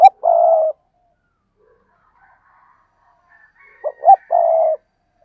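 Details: Spotted dove cooing: a single low, hollow coo at the start, a long pause with faint background sounds, then two short rising notes leading into a drawn-out, slightly falling coo.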